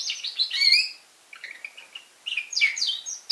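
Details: Young red factor canary in song, delivering a loud buzzy trill, then softer rapid chirps and a final sweeping whistled phrase, high-pitched and clear.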